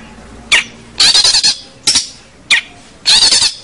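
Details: Long-tailed shrike (cendet, pentet) singing vigorously, a recording meant as a model for training local cendet. Five loud, harsh, high-pitched bursts, some single and some made of rapid grating pulses, set apart by short pauses.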